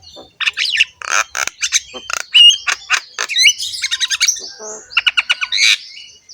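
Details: Rough-voiced Javan myna delivering a varied, mixed song of harsh squawks, whistled slurs and a closing string of quick repeated clipped notes.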